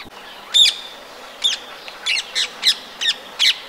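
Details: Harsh, shrill squawks of a Rose-ringed parakeet in the town of Empuriabrava, Catalonia, in winter on 26 January 2022, repeated seven times at short, uneven intervals.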